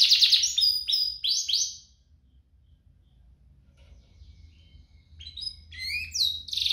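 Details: Canary song, played to encourage canaries to sing. Quick whistled and trilled phrases come at the start, then a long near-silent pause, then sharp rising and falling chirps return toward the end.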